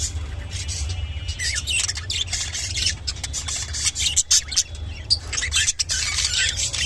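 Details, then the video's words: Mating call of a lutino budgerigar, a dense run of high chattering, scratchy warbles and squeaks that goes on without a break over low background hum. "beautiful lutino budgerigar sounds and mating call"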